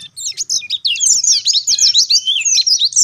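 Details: Lure song of an Oriental white-eye in wild-bird style, vigorous and loud: a few sharp introductory chips, then a tumbling torrent of high, twisting twitters and quick rising and falling whistles.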